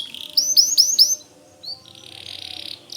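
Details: Short burst of four loud rising chirps from a white canary, a pause, then a soft whistled note and a faint buzzy sustained trill.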